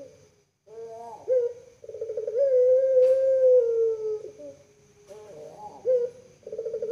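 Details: Caged collared dove of the puter pelung type, a docile, well-kept bird famed on Java, Indonesia. Its gurgling kooook call has a bubbling start, then a long, smooth coo held for over two seconds, followed by further gurgled notes.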